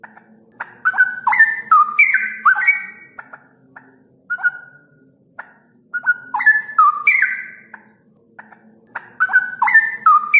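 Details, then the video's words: Cucak rowo, the straw-headed bulbul, singing a lure and tutor song for training captive birds: three bursts of loud, rich, bubbling whistles stepping up and down, with scattered sharp clicks and short fluty notes in the pauses. "pancingan dan masteran cucak rowo"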